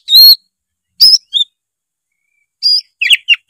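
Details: Oriental magpie-robin in full, loud song, used as a lure to get a lazy juvenile bird singing; short bright whistled and chirped phrases, some with sweeping notes, separated by pauses of about a second, in an otherwise quiet recording.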